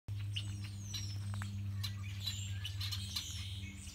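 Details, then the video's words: Songbirds at Beddis Beach on Salt Spring in February: thin high chirps and sweeping whistles scattered over four seconds above a steady loud low hum. "Sounds of Song Birds at Beddis Beach"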